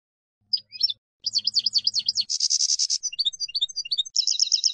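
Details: European goldfinch field-contest (campero) style song, used for teaching young decoy and contest goldfinches: rapid liquid twittering, quick rising and falling notes, a dense buzzy stretch near the middle, then bright repeated trills, with a faint low hum early on.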